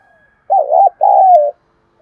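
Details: Spotted dove cooing to lure wild doves: one two-part phrase, a short wavering note then a longer, slightly falling coo, clear against a silent background.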